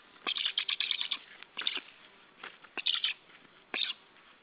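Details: White stork at its nest, caught by a live nest camera on the morning of 28 July 2013: short bursts of rapid, rasping pulses, a long stuttering run, then three shorter clusters spaced by pauses.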